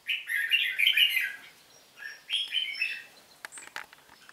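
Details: Red-whiskered bulbul in a singing contest: a rapid, rich warbling phrase, a brief pause, then a second chirpy phrase followed by light clicking sounds.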